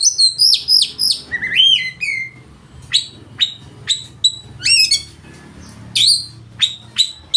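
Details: Oriental magpie-robin delivering a loud, richly varied song aimed at goading rivals to sing and open their tails; bright whistled phrases and sharp descending notes, then sparser single high chips.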